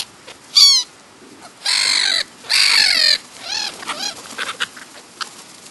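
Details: Black-headed gulls in the New Forest, Hampshire, England, filmed in July 2009, utter loud rasping screeches, one short and two long drawn-out, followed by softer descending calls and scattered distant cries.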